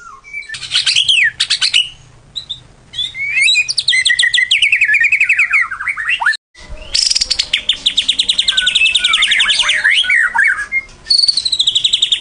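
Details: White-rumped shama song used as a lure sound for trapping: dense, loud, rapid strings of high whistles, trills and sweeping notes, broken by a few abrupt short pauses, with a faint low hum underneath.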